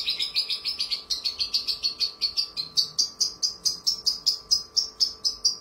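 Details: Javan bush lark (branjangan) tutor recording with clear, crystal vocals, imitating church sounds and a lovebird's long trill: a long run of sharp, high chattering notes, about four a second; a faint steady hum beneath.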